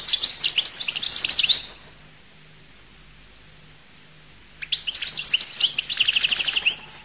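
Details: Goldfinch of the Collo (القل) type singing rapid, tinkling high twitters for about two seconds, a pause of nearly three seconds, then a longer jangling phrase with a quick trill.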